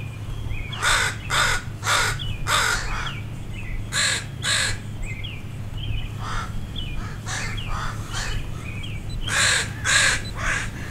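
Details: Parent crows alarmed by a dog near their fledglings, with many crows rallying to attack from the air. Loud rasping caws in irregular clusters, roughly two a second, some overlapping callers, with a low background hum.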